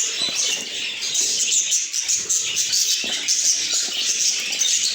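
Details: Budgies kept as pets give a continuous high chatter of quick chirps and whistled squeaks, pulsing slightly in loudness, with a few faint low knocks beneath.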